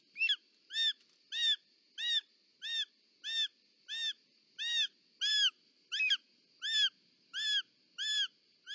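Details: At a short-toed snake eagle nest in Parc Natural dels Ports on 18 July 2024, where the female brings a snake, loud arched whistled calls repeat steadily about every 0.6 seconds, with a faint steady tone behind them.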